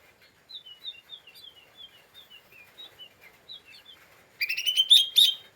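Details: Lesser green leafbird, agitated, used as a provoking lure: a string of soft, high, slurred whistled notes for four seconds, then a loud, fast, buzzy rattling burst at the end.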